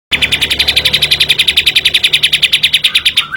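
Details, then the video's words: Kapas tembak in energetic 'gacor' form, giving its tight 'tembakan' burst used as a training lure: a fast, even string of sharp high notes, about seven per second, held for over three seconds. "kapas tembak gacor tembakan ny rapet"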